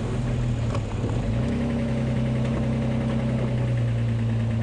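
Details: Steady low engine rumble of an idling safari vehicle on a sunrise morning drive, with a constant hum and faint clicks and no animal calls.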